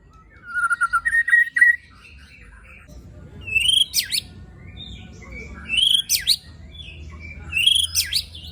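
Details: White-rumped shama (murai batu) tembakan and besetan song with coarse fill: a rapid twittering run, then three loud, separated, swooping whistled phrases spaced about two seconds apart.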